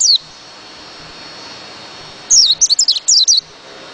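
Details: A single high chirp from a white-eye, then after a pause a rapid phrase of six or seven thin, descending whistled notes, over light background hiss.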